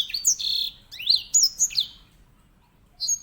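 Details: Loud-voiced grey singing finch (Serinus leucopygius), also called edel sanger and kept as a tutor bird for canaries, sings a run of sharp rising and falling whistles and buzzy held notes, then goes quiet before one short final note.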